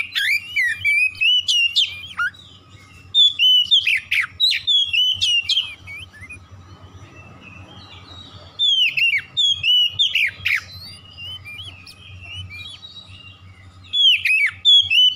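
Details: Lure song of an Oriental magpie-robin for prompting silent magpie-robins to sing: bursts of rich whistles, twisting slurs and sharp chirps, several seconds each, separated by quiet gaps over a faint steady low hum.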